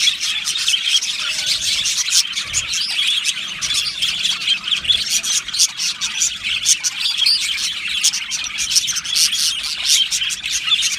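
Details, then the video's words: Australian budgerigar colony in an aviary, an unbroken high chorus of chirps, squawks and chattering warble from numerous birds, steady in loudness. "Budgie singing and chirping sounds"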